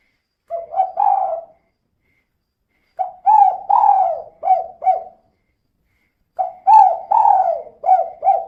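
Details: Female spotted dove in steady cooing, her call used as a lure to prompt other birds to sing; three phrases of low, soft, rolling coos, each four to six notes with a slight downward bend, separated by two-second silences.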